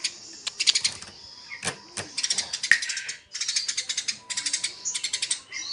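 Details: Eurasian tree sparrows fighting: dense bursts of rapid, dry, high chirps, rattling in quick series with short pauses between volleys, over a faint steady tone.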